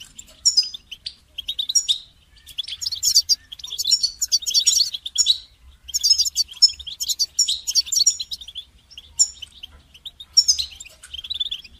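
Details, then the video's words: Goldfinch song used to train songbirds: a fast, tinkling run of high, bright twittering trills and buzzy notes, in bursts every couple of seconds, with little else heard. "goldfinch song"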